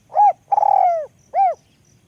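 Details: Spotted dove with a small, high voice cooing: a short arched note, then a long burry, trilled coo sliding downward, then another arched note, in a quiet background.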